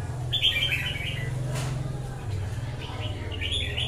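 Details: Red-whiskered bulbul, wild-caught, sings two quick high warbling phrases, one early and one at the end, over a prominent low droning hum.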